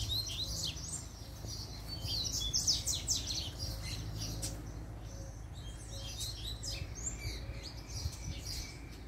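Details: Double-collared seedeater singing a puxada: long run of rapid, high, crisp chirps and trills, loudest in the first half, with a faint repeated low tone and background rumble.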